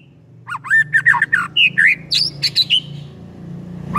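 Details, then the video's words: White-rumped shama song used to provoke another shama into singing: a loud, quick sequence of varied whistled notes and chattering slurs, fading to low hum. "EFEKTIF BIKIN MURAI JADI AGCOR DALAM HITUNGAN DETIK DENGAN PANCINGAN INI"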